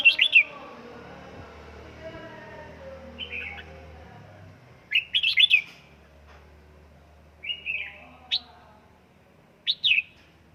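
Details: Captive red-whiskered bulbul being trained at home in Gia Lai delivers repeated short bursts of bright, bubbly warbled notes separated by pauses of a few seconds, in an otherwise quiet room.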